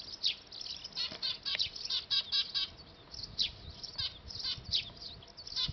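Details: Eurasian tree sparrows nesting on a factory roof chatter in busy, overlapping high chirps and short descending notes, almost continuous with brief lulls. Filmed with a D5000 camera.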